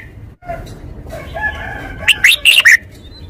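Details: Red-whiskered bulbul in forest-style song. Soft, low warbling notes come first, then a burst of four loud, clear whistled phrases in rapid sequence near the end, ending in a falling slur.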